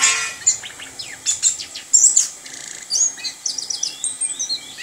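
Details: Kept orange-headed thrush delivering 'ngerol' rolling song, a fast run of high sharp notes, downward-slurred whistles and twittering phrases packed closely together with barely a pause.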